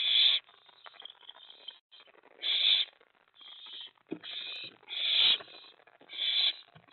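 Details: Night nest scene, 24 May 2017, as prey is brought and the owlet stores a rat: repeated breathy, hissing screeches of varying length, with soft scuffling between them.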